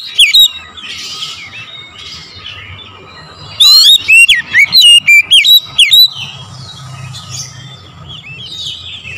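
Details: Oriental magpie-robin in morning song, recorded as a lure: one dense run of about eight loud, ringing whistled notes dropping in pitch, flanked by soft scratchy warbles and low background noise.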